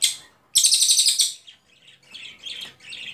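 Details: Ashy tailorbird (cililin) song from a tutor recording: a sudden loud run of quick high pulses lasting under a second, followed by softer, broken chirps at lower volume.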